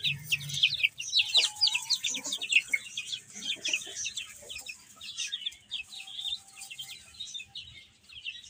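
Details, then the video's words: Chicks feeding and playing make rapid, overlapping high peeps, busiest in the first half and thinning later, along with a few soft lower notes and faint thumps. "Cute Chicks Chirping Sounds"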